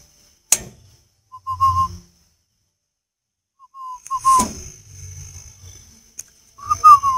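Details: Spotted dove from northern Vietnam gives three separate short cooing phrases of low, hollow notes, with a sharp knock, rustling thuds and a faint high hum between them.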